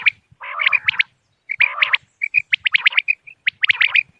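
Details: Common quail lure calls for hunting on moonlit nights: lower, rasping, nasal bursts followed by sharp, high, clipped notes, in three distinct bouts.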